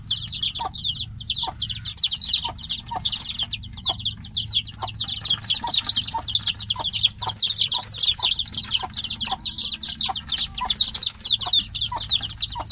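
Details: Chicks shut in a cage call for the mother hen waiting outside: a dense, unbroken chorus of shrill, descending peeps from several birds, about three or four a second, over a low steady hum.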